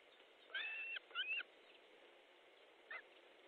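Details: Osprey at an Estonian nest, 14 July 2014 at 12:50 with fish arriving: two high whistled calls in close succession, then a faint short note after a pause, against steady background hiss.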